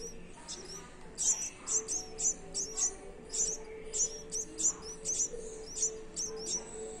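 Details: Baby red-whiskered bulbul giving thin, very high chirps, each a quick twittering note, repeated roughly twice a second and fairly steadily over seven seconds, above a faint low steady tone.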